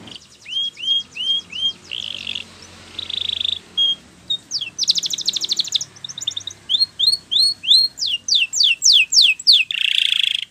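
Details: Spanish Timbrado canary singing a training song: repeated rising whistles, short buzzy bursts, rapid metallic rolls, then quick descending notes and a final buzzy note, all high-pitched, over a faint background hiss.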